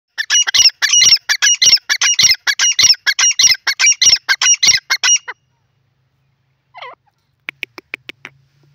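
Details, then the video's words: Grey francolin, called teetar, calling: a loud, harsh, rapidly repeated series of grating notes for about five seconds, then silence broken by a short squeak and a few faint clicks. "beautiful bird teetar awaz"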